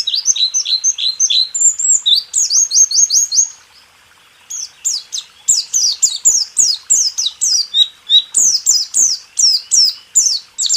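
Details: White-eye rool tembak training song: a rapid series of high, descending chirps repeated rhythmically for over three seconds, a brief silence, then a long run of strong, evenly spaced downslurred notes.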